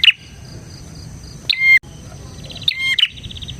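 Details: Bar-winged prinia used as a lure and master for other prinias: short clicky whistled phrases, one brief, then two fuller bursts about a second apart, with a faint buzzy trill between.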